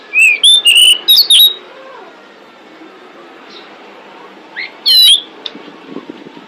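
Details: Female pied bushchat lure call to attract males: one fast burst of six bright whistled notes, then after a pause a few fainter single whistles, with soft scattered background ticks and hiss.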